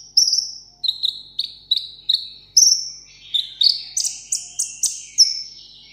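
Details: Sunbird kept caged as a pet, singing solo in contest fashion: a steady series of thin, falling whistled notes, roughly two a second, that climb into higher, brighter notes toward the end.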